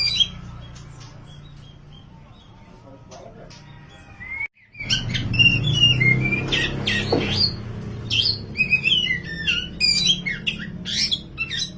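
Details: Tutor recording of a black-plumaged oriental magpie-robin, kacer wulung, in loud full song: quiet start with a few faint notes, a brief break, then dense varied whistles, slurred upsweeps and harsh chatters over a low hum.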